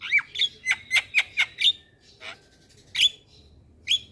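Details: Black-winged myna lure song for young birds: a quick run of about eight loud harsh squawking notes, then near silence broken by two more isolated sharp calls.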